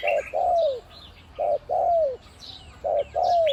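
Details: Decoy spotted dove, one-kuk type with a deep voice, giving almost constant khu-ang cooing. Three phrases each pair a short low coo with a longer coo sliding downward, spaced about every 1.3 seconds. Faint high chirps sound behind.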